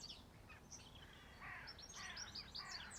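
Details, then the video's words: Birds singing at farm cottages in a quiet, restful rural setting: thin high chirps and tweets, then brighter buzzy trilled bursts near the end, several overlapping, with soft background noise. "Nature and peaceful sound of Birds"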